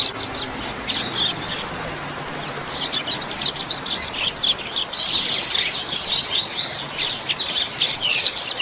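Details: Double-collared seedeater (Sporophila caerulescens) singing the chuva song type, a training recording: fast, high, bright chirps and twittering phrases, nearly continuous, over faint background hiss.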